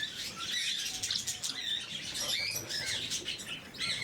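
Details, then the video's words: Lovebirds of the blue mutation feeding in the morning, giving a constant shrill chatter of short squeaks and slurred upward chirps from many birds at once, plus light fluttering and patter. "Попуги неразлучники, утреннее кормление"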